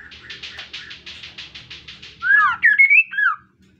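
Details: Kaso-kaso bird, an insect-eating species, in full gacor song used to prompt other birds to sing: a fast run of buzzy pulsed notes, then a loud burst of swooping, slurred whistles.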